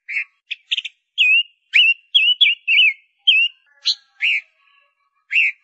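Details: Lure-bird female Gouldian finch giving a series of short wavering whistles and brief buzzy notes, roughly two per second, clean and close with no other sounds.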